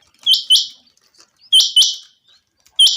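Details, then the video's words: Chinga quail in sunny weather giving strong, high paired notes, two quick rising chips trailing into a buzz, repeated about every 1.3 seconds, with soft clicks between. "Very fresh sound of Chinga quail"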